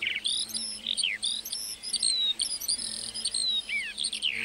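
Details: A lark singing over a meadow gives a quick jumble of high twittering notes and short whistled slides, delivered without pause.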